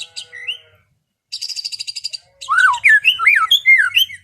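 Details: White-rumped shama in relaxed afternoon song, played to calm an overexcited bird: soft whistles, a high fast rattle, then loud looping slurred whistled notes rising and falling in quick succession.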